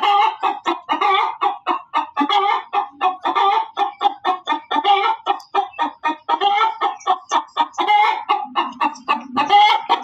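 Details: Hen cackling loudly, a rapid run of harsh, clucking notes repeated about every quarter second, with a brief low rumble near the end.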